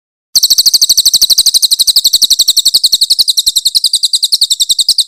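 A grey-headed canary-flycatcher delivers a long, rapid, high-pitched trill of sharp chipping notes, about ten per second, held steady without pause against a quiet background.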